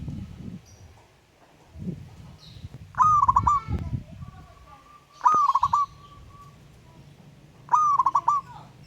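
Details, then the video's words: Wild local zebra dove calling out to a rival: three clear coos about every two and a half seconds, each a held note breaking into rapid rolling beats, with a low muffled rumble between calls. "Burung Perkutut LOKAL Alam Ngayer Memanggil Lawan Ikutan Manggung Gacor"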